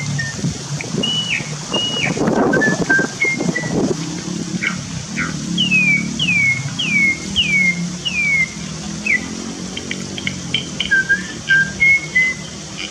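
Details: Cucak keling, a starling in the wild forest, calls after a bout of silence: a series of clear downward-slurred whistles repeated about every half second, with scattered short notes and faint low rumble.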